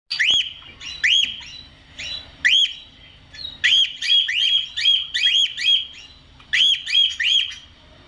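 A cockatiel gives loud, shrill whistled notes that rise and fall, repeated in quick bursts.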